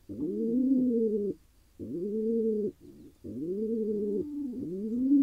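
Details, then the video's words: A male pigeon, wild in Israel, coos after getting his mate; long, even, low notes of over a second each, with one softer murmur between them. "He got his lady: Pigeon male happy after finally finding a mate."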